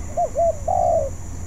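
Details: Young spotted dove in training, not yet skilled, giving a single phrase of two brief rounded coos and then one long, slightly descending coo over a faint constant hum.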